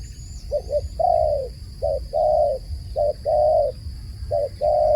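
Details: Low, mellow dove coos, a clipped double note leading into a longer held note, repeated four times in five seconds against a faint steady electrical-like whine.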